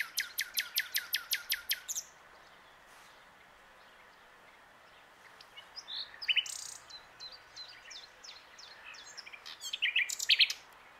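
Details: Common nightingale perched on a branch at the Plan d'eau du Breuil, Bourbon-Lancy, opening with about ten rapid, evenly spaced loud notes, then a pause before jumbled chirps, squeaks and a final burst of rich phrases.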